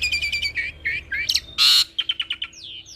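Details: Asian pied starling x Jalak Nias hybrid, a cage bird, singing master material for Asian pied starlings: a fast rattle of clicks, buzzy whistled phrases, one loud harsh screech, then a series of sharp clicks and a falling whistle.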